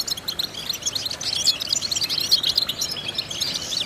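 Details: Goldfinch vocal-training song, European goldfinch: quick bursts of high, sharp chirps and short trills in an uneven, bubbling stream, with frequent tiny pauses between phrases.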